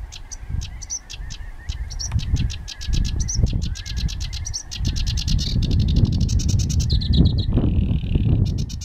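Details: Sedge warbler in full song in June 2011, scratchy chattering phrases with inserted whistles speeding into dense rattling trills and a brief buzzy note, over constant low-pitched wind noise.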